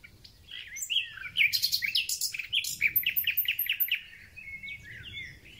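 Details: Song of a thrush nightingale heralding spring: scratchy whistled notes leading into a rapid series of about a dozen sharp, evenly spaced pulses, then quieter warbling in the background.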